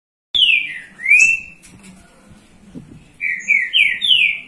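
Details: Green-winged saltator singing in Rio de Janeiro, Brazil, warming up the young birds: loud clear whistled notes, first falling then rising, a pause, then four quick slurred whistles in a rising-falling phrase.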